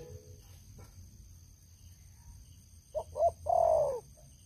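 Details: After a quiet stretch, a decoy spotted dove kept for luring wild doves gives two short notes and then one long, falling coo.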